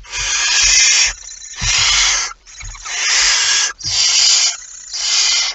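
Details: Just after midnight on 23 September 2019, a barn owl at the nest with mouse prey makes long, loud, nearly continuous rasping hisses, each about a second long with brief breaks, over low rustling.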